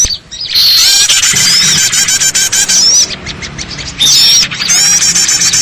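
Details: Lure sound of many small birds for trapping: a loud, steady wall of thin chirps and squeaks, with clear rising whistles standing out and a brief drop near the fourth second.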